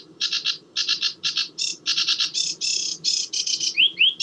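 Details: Sedge warbler (Acrocephalus schoenobaenus), summer migrant in Sussex, song: jazzy quick bursts of scratchy chattering notes shifting in pitch and pace, possibly with mimicry, ending in two clear rising whistles over a faint low hum.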